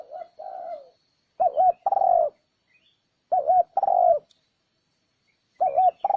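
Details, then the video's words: Spotted dove cooing used as a lure for wild birds: a repeated phrase of a wavering double coo followed by a sustained, slightly falling coo, heard three times at roughly two-second intervals in a quiet setting. "Âm thanh kích chim cu gáy mp3 mới nhất 2021! (Tiếng kích chim bổi)"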